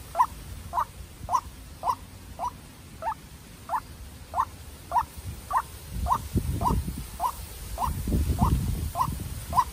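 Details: Young decoy White-breasted waterhen calling while fighting a wild bird. A brisk series of clipped notes repeats regularly, with rustling and low thuds growing in the second half.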